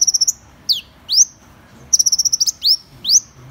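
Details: Van Hasselt's sunbird singing a rapid run of high ticking notes, then high-pitched swooping notes that slide down and rise again, then another fast ticking burst and more swooping notes. No other sounds are heard.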